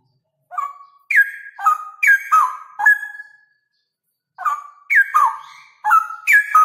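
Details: Male Straw-headed bulbul in loud, rapid 'ropel' song: two runs of about five rich, liquid whistled notes, each dropping in steps from higher to lower pitch, separated by a short silence.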